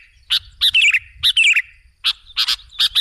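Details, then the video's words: Sooty-headed bulbul used as a lure for other birds: a few short, bright chirps with a slurred, dipping note, then single sharp notes after a short pause. "Suara burung KUTILANG jebakan pemikat"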